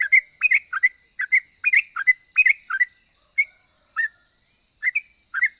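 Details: Yellow-vented bulbul in lively 'ropel' style singing, said to provoke other bulbuls to answer: quick bursts of short slurred whistled notes, rising and falling, in uneven clusters with short pauses, over a steady high hiss.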